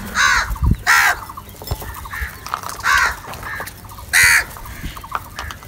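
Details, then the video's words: Crows fighting for cheese keep up a run of harsh, drawn caws, roughly one every second. Fainter, clipped calls from other birds sound between the loud ones. "Crow Sounds and crow eating videos | Crow fight for cheese and Salty"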